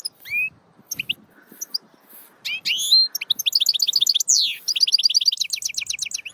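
A European goldfinch sings a high, bright jumble of liquid twitters and quick tinkling trills that speed into rapid, buzzy runs toward the end.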